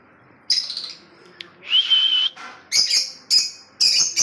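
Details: Lovebird kept in Kolkata: a short shrill chirp, a clear sustained whistled note, then three sharp piercing chirps spaced about half a second apart.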